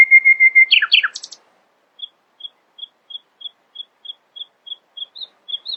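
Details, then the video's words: Nightingale in early morning, opening with a long steady whistle and quick jumbled notes, then a long series of short, high, evenly spaced pips, about three per second. "Nightingale screamed in the early morning, proudly displaying her poetic singing voice."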